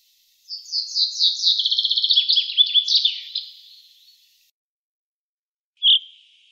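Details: Common chaffinch song from 2018: an accelerating cascade of high, sweet notes into a rapid trill, falling through lower slurred phrases to a closing flourish, then one short, clear call note after a pause.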